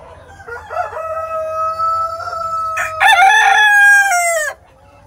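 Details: Araucana, a Chilean breed of domestic chicken, gives a full crow: a harmonic, wavering opening that climbs into a loud, sustained final note held for about a second and a half before breaking off sharply.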